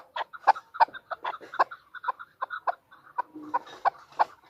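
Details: A female chukar partridge gives a brisk series of hoarse clucking chucks, about three per second, uneven in loudness, with a brief low tone near the end.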